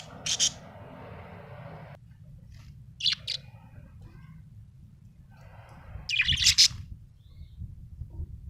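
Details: Happy budgerigar chirping: three short, bright, high-pitched chirp bursts spaced a few seconds apart, near 0.4, 3 and 6.5 seconds, the last a rapid chattering cluster, over a steady low background hum.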